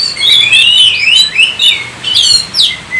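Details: Oriental magpie-robin singing richly: a run of sweet warbled whistles sliding up and down, broken by a buzzy rattling note and a high upward-swept whistle near the end, in a clean quiet setting.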